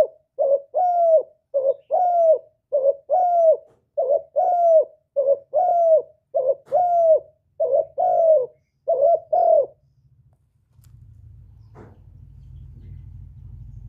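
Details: Spotted dove (cu gáy) in the fast stimulating 'kích bổi' calling style. About twelve short, low, hoarse coo notes are repeated steadily, roughly one every 0.8 seconds. After that, a low hum and rumbling background noise take over.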